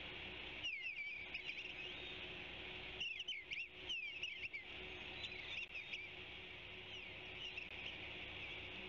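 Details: Eastern bluebird on a branchlet near the Savannah osprey nest, giving short groups of soft, gliding warbled notes separated by pauses, with constant low hiss throughout.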